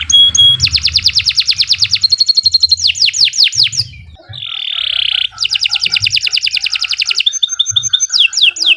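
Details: Canary song for training other birds: rapid trills, falling whistles and a thin steady tone, a harsh nasal buzzy burst in the middle, then further long fast trills.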